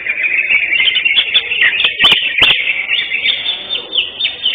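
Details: Prize-winning greater green leafbird (cucak hijau) at an Indonesian songbird contest on 11 October 2025, delivering a dense, unbroken stream of high, chattering and warbled notes, interrupted by two sharp clicks midway.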